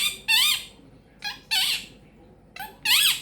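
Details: Female pet Quaker parrot chattering indoors, a talker known for peekaboo, give me a kiss and thank you baby; three loud, wavering, speech-like harmonic calls with brief softer notes between them.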